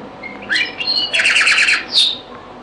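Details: Close, loud European goldfinch zaboka song from Beni Messous 'les avocats', an old recording: a few thin whistles lead into a dense rapid trill of tinkling notes, finished by a sharp high buzzy note.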